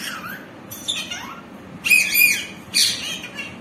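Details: Green parrot producing a run of harsh, rasping squawks and chattering bursts, some sliding downward, with brief gaps between the louder calls.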